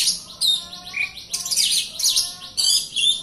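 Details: Oriental magpie-robin lure song, meant to make a quiet bird sing: bright high whistles, a clear sliding note and scratchy trills in tight succession.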